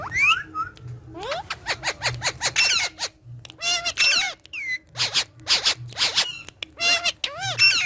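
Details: Green talking parrots interacting with each other: a rapid string of short, sharp clicks and squeaks broken by loud harmonic squawks and a few rising whistled notes, with brief quiet gaps between bursts.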